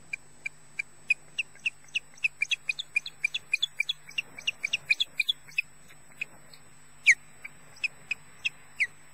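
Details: Osprey at Loch Garten, Scotland, a male defending mate and nest: a rapid series of short, high chirps, dozens in quick succession, thinning out, then a few louder downslurred chirps near the end; faint steady hum behind.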